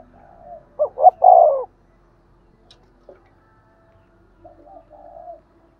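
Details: Spotted dove 'thúc gù' coo, used to excite other doves: one clear phrase of two short notes and a longer rolling coo, then near silence, then a faint, softer coo at the end.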